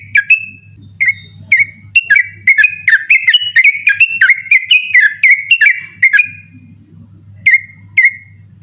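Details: Yellow-vented bulbul singing persistently at night in the 'ropel' style, recorded to tutor contest birds: isolated whistles grow into a rapid rolling chain of bright notes, then quiet with two final whistles; steady low hum.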